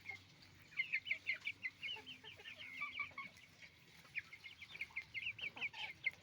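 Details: Roosters and hens on a chicken farm making noise: many birds clucking and squawking together in quick overlapping calls, a busy chorus over steady low hum.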